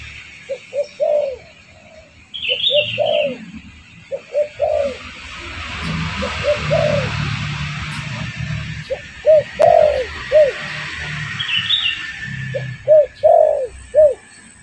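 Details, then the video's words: Spotted dove lure call meant to attract wild doves: repeated groups of short, low coos with longer swelling notes, spread over the clip. Occasional higher bird chirps and a steady hiss sound in the background. "Suara pancingan burung derkuku bakalan ampuh"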